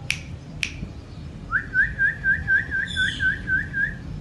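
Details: Pet Indian ringneck parrot: two sharp clicks, then a run of about eleven evenly repeated whistled notes, each a quick rising-falling slur, steady pace, faint room hum.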